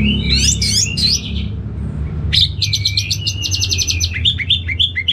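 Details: Caged orange-headed thrush from Bali, Indonesia: a brief burst of chirps, a short silence, then a rapid even trill of repeated sharp high notes followed by scattered whistles.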